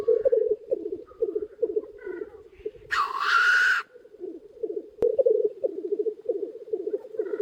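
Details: Black grouse lek close to a hide in early spring with many males gathered: continuous pulsing, bubbling murmur, one long rasping hiss in the middle and a sharp click near the end.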